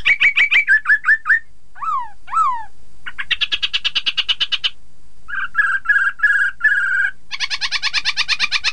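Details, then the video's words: Chinese hwamei singing, a recording meant to prompt rival birds into song: rich varied phrases with repeated short whistles, two swooping downslurs, buzzy rapid note series, and a dense trilled passage closing the sequence. "Terapi poksay hongkong agar lawan ikutan bunyi"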